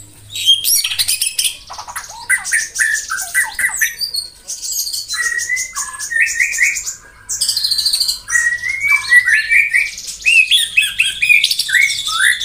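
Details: Long morning song of a white-rumped shama, meant to spur rivals to sing: loud bursts of high chattering notes alternating with rich whistled slurs and rapid repeated phrases, with brief pauses between bouts.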